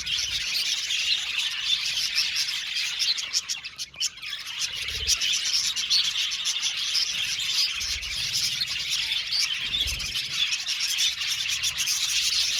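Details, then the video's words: Budgies in an aviary colony chattering nonstop: dense high chirps and warbled twitters from many birds, dipping briefly near four seconds before resuming, with a few faint low thuds. "budgies chirping sound"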